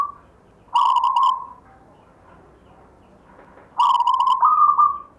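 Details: Zebra dove, a local wild perkutut kept as a grandfather's legacy, singing two loud phrases: each opens with a rapid stuttering burst of pulsed notes, then holds a clear mid-pitched coo, the second ending on a slightly higher held note.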